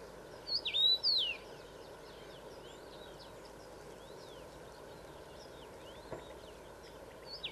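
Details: Common rosefinch song from one of two males at Szeneta in Transylvania, Romania: a single bright, whistled phrase of slurred up-and-down notes near the start, then faint distant twitters against constant low rumbling noise.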